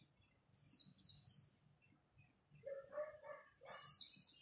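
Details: Competing at dawn, a Japanese white-eye gives khuyên líu song, high rapid descending twitters opening and closing the sequence, with a short run of lower, rougher chirps in between.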